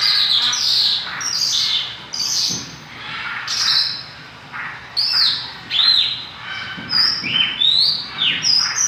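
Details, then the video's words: Vigorous (gacor) song of a Mongolian lark: varied high chirps, sharp downslurred whistles and buzzy notes in uneven bursts, with brief quieter gaps between phrases. "Burung MONGOLIA gacor"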